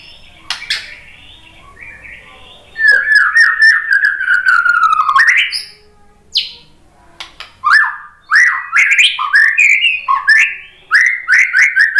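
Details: White-rumped shama lure song: a quiet opening, then a long falling series of rippling whistles, a pause, and later bursts of short rising and falling whistled phrases.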